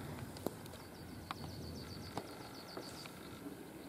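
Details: New Zealand falcon (karearea) at the Brancott estate, Marlborough, near Blenheim, New Zealand, January 2020: a rapid, even series of about fourteen high, sharp chattering notes over roughly two and a half seconds, with faint clicks and low background rumble.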